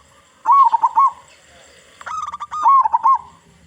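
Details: Loud-voiced local zebra dove, a lure for other zebra doves: a bubbling, trilled coo phrase, a quiet gap, then rapid clipped notes that run into a second rolling trill.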